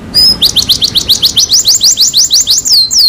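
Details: Canary song used as a pancingan (lure recording) to get a silent canary singing again: a fast series of rising chirps repeated about six per second, ending in longer descending whistled slurs.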